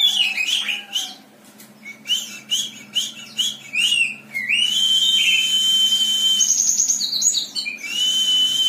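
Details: Java sparrow, a competition-trained bird, opening with scratchy chirps, then a series of clipped whistles before long sustained high tones and a rapid bell-like trill.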